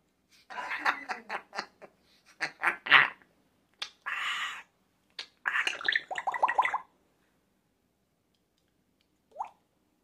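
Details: A pet African grey parrot lets out a raspy, choppy mimicked evil laugh in rapid bursts, with a longer cackling run, then falls silent before one short rising whistle.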